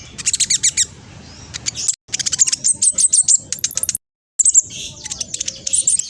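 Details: Speckled black sunbird, a vocal bird used to provoke other birds into replying, repeats bursts of quick, very high ticking notes broken by short gaps.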